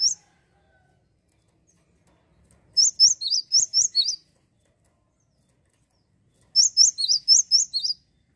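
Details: Java sparrow chattering to provoke rivals: after silence, a fast string of about seven piercing high chirps, a pause of two seconds, then another similar string; background otherwise quiet.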